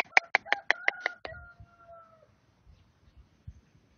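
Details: White stork on its nest in foggy early morning, 30 August 2022, clattering its bill in farewell before migration: a quick run of seven sharp wooden knocks, then a rooster's drawn-out crow and faint rustling.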